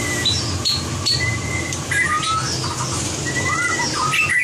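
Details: White-rumped shama song for competition-singing training: scattered clear whistled notes, some flat and some slurred upward, several high thin notes between, set against a constant low background hum.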